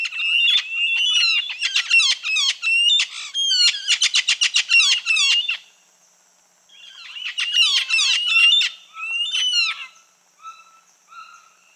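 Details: Red-fan parrot (anacã) giving rapid bursts of harsh, squawky chattering notes with sharp flicking strokes. Two long fast runs are split by a brief silence, and the clip ends with a few spaced, softer notes.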